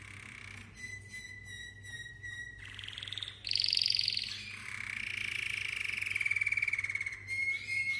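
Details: Malta canary song: sustained rapid trills and rolling tours, shifting from a steady pulsed note to higher buzzy rolls, then a long, slowly falling trilled whistle, over a constant low hum.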